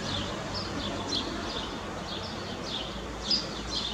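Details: Eurasian blue tit pair coming and going at a nest box to feed their chicks, one trip per minute; repeated high, thin, downward-sliding chirps with a brief louder note near the end, steady background hum.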